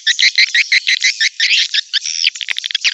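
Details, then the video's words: Swiftlet calls used to lure swiftlets to a nest building: dense rapid chattering twitters, high and buzzy, several notes each second in uneven bursts. "SUARA PEMANGGIL PANCING WALET DATANG"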